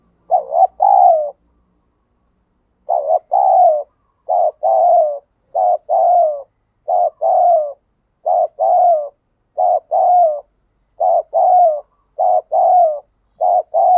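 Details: Wild spotted dove doing the standard challenge cooing in nature. After a brief opening phrase and a pause, it gives two-part rolling coo phrases repeated steadily about every 1.3 seconds, mid-pitched and clear. No other sounds.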